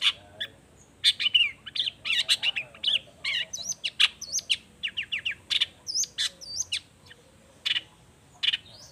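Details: Long-tailed shrike in dense, emotional song used to make other shrikes respond: a fast, varied chatter of harsh rasps, sharp chips and squeaky upslurred notes tumbling almost without pause, easing off toward the end.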